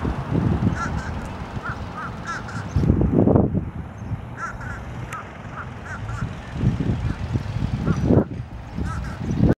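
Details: Fish crow in Savannah, Georgia, on 4 April 2022, giving short nasal caws, often paired, every second or two over a steady low rumble of traffic or wind.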